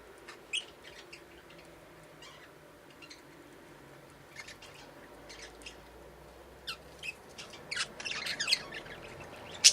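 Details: A budgerigar pair billing and cuddling, giving scattered short, scratchy chirps and squeaks that grow busier toward the end.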